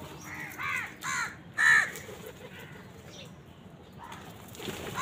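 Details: Harsh, hoarse caws in quick succession, three strong ones in the first two seconds, from crows contesting food with wild birds; fainter calls and outdoor noise follow.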